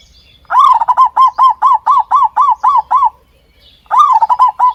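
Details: Brooding zebra dove singing over its two-day-old chicks, a long rhythmic run of about ten even, rounded coos, each a quick rise and fall, followed by a pause and another run beginning.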